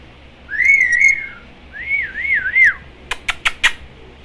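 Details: Parrot chatting with its owners indoors: two wavering, looping whistled phrases, each about a second long, followed by four sharp clicks.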